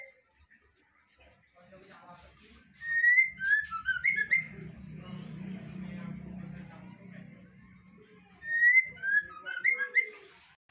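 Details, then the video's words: Female white-rumped shama, singing actively in ngeplong style: a flurry of clear, sweeping whistles, a long stretch of only low hum, then another quick run of bright fluting and rising notes. "MB betina GACOR sampai AKHIR"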